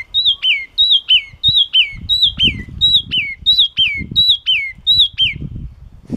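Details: Yellow-cheeked tit singing a sharp, clear song of repeated two-part phrases. Each phrase is a high whistled note that drops quickly to a lower slurred note, given about nine times in six seconds over faint low background rumble.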